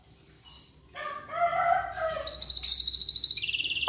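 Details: Atlantic canary singing in the morning, a song used to prompt other canaries to sing; rough, harmonic warbling notes give way to a fast, even, high trill that shifts to a slightly lower pitch near the end.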